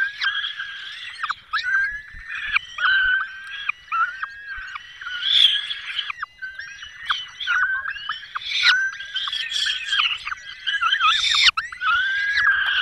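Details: Peregrine falcon family at a nest in Dolina Baryczy, 5 May 2022, as the female feeds chicks prey the male brought; continuous rasping, chattering and wailing calls with quick squeals, almost unbroken throughout.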